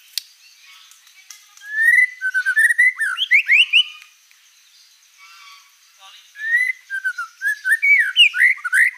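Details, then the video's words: White-rumped shama, described as a vigorous, prolific singer, giving phrases of rising slurred whistles and fast sweeping notes, with a quiet pause between two bursts and a steady faint high tone behind. "MURAI BATU GACOR ISIAN BANYAK"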